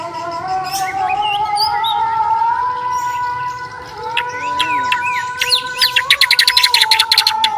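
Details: Bornean white-rumped shama fighting song: scattered whistles and slurred chirps, then a fast buzzy rattle of rapid repeated notes in the last two seconds, over a continuous low drone.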